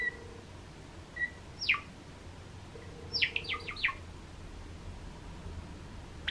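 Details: Cream-coloured pet Java sparrow calling: a single sharp chirp sweeping steeply downward, then after a pause a quick run of four similar falling chirps, over a quiet indoor background.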